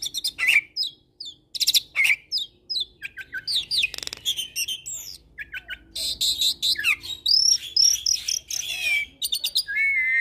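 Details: Training mix of black-collared starling, Nias myna and Nias × black-collared starling hybrid song, energetic and varied: continuous chatter of chirps, rasps and squeaks, ending in clear drawn-out whistles.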